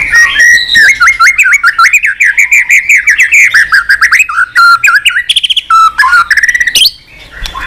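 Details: White-rumped shama kept in a cage, stimulated to sing continuously with many unusual voices. A dense, unbroken run of loud warbled whistles with quick up-and-down inflections, dotted with sharp high chips, fading near the end.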